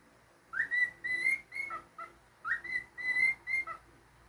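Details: After a moment of quiet, a pet cockatiel whistles two matching phrases about two seconds apart, each a rising slur into bright held notes with short dips lower.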